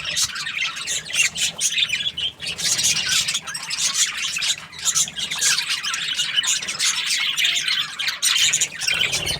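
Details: Budgerigars chirping contentedly, bursts of scratchy high chatter and squawky notes rising and falling in loudness, with a low murmur underneath.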